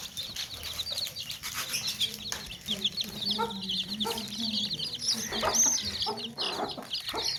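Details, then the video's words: Chicks in a basket give a constant stream of high, thin peeps, with hens clucking steadily in a lower voice beneath them. "Baby Chicks Chirping Sounds In Tokri | Chicken's Chicks Sounds and Chickens Clucking Sounds"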